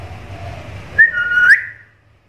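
A black-capped lory gives one clear whistled note, held level, dipping slightly, then sweeping sharply upward. A faint low hum is heard beforehand.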